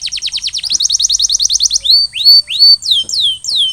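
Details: Domestic canary singing after its molt: quick repeated falling chirps that blend into a faster trill, then slower, louder upward-curving whistled notes, each about half a second apart.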